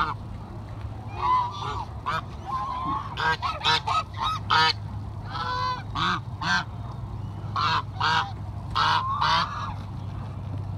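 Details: Several geese honk while being fed, making a busy run of overlapping nasal honks and short clipped notes throughout, over a constant low hum.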